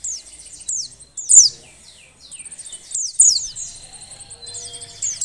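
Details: Breeding-condition female Oriental white-eye calling to encourage silent males to sing: high thin trills and downward-slurred notes in uneven bursts, with a steady faint tone in the background.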